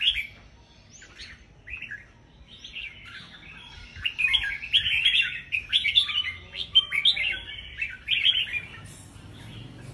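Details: Caged red-whiskered bulbuls competing at a singing contest. Bright, chattering warbled phrases rise from sparse notes into a dense, overlapping run of loud whistled trills in the second half, with several birds singing together.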